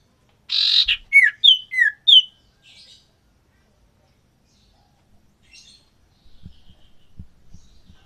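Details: Common iora, male and female kept in captivity for breeding and pairing: a broad burst followed by four clear, repeated whistled slurred notes, some falling, then quieter fragments and low handling knocks.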